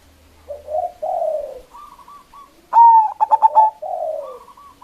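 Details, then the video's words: Local zebra dove with a big voice, lure bird for rivals: soft sliding coos and a faint wavering tone, then one loud abrupt coo broken into rapid stuttered notes, ending in a gentle falling coo. "Perkutut Lokal GACOR suara Besar Ampuh memanggil Lawan_EMOSI MANGGUNG PANCINGAN PERKUTUT LOKAL"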